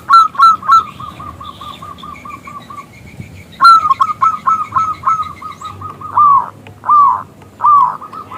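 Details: Local zebra dove with a loud, crystal voice, calling to make a male sing: quick runs of short staccato coos that fade, restart with an accented note, and end in slower, longer drawn notes.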